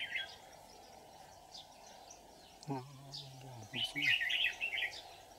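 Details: Red-whiskered bulbul decoy, white-cheeked type, singing to draw wild bulbuls toward a trap in July 2019: a burst of warbled notes near the end follows a low, droning humanlike voice, with faint chirps early on.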